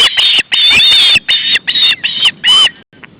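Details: Hungry young ospreys begging at the nest on the male's arrival with fish, August 2012: a short series of about seven insistent, harmonic squeals, then quiet.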